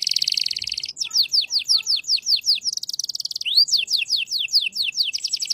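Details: Canary singing in the shant style: dense buzzy rolls alternate with rapid runs of high, sharply falling whistles, about six per second; no other sounds.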